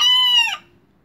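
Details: Young miniature rooster, kept by its owner, that only recently began crowing, marking territory: a single short, steady harmonic note that drops and breaks off at the end, sounding clipped and unfinished.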